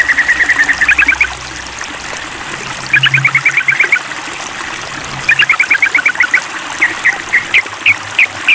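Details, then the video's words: Mental test of a sooty-headed bulbul calling a rival: repeated runs of fast, even staccato notes alternating with isolated sharp chips, accompanied by steady running water and faint low hum. "Tes Mental Trucukan Memanggil Lawan"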